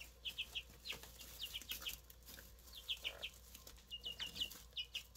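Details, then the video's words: Brand new Easter Egger chicks, three hatchlings, giving short high cheeps in loose clusters of three or four, some sliding down in pitch, with scattered clicks and soft rustling between them. "Brand new Easter Egger Chicks."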